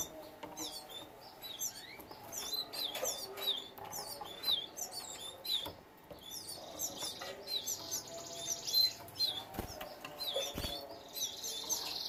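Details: Canaries from a breeding setup with chicks: dense, high twittering of quick chirps and short trills, nearly continuous over twelve seconds, with occasional clicks and light wing flutters.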